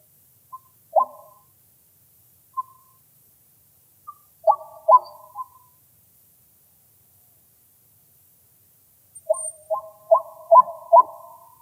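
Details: A White-breasted waterhen (Amaurornis phoenicurus) decoy call recorded live in Thailand: short, hollow, mid-pitched notes, singly at first, then a quick run of three or four near the end, over silence.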